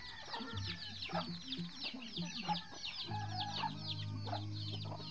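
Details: Eleven free-range baby chicks with their mama hen, hatched from eggs laid in the bushes. High falling peeps overlap constantly above scattered low clucks, while a steady low hum runs through the second half.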